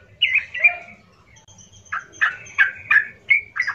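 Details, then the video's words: Yellow-vented bulbul song, loud and harsh, aimed at provoking other bulbuls: two slurred whistled notes, a pause with thin high tones, then a string of about six emphatic, throaty chirps. "hati - hati trucukmu langsung Nyaut penuh emosional mendengar pancingan trucukan gacor kasar ini"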